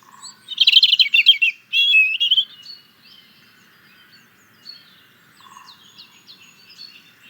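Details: European robin song: a dense, rapid phrase of high tinkling, trilled notes that slides into a sweet whistled run, then softer high twittering after a pause.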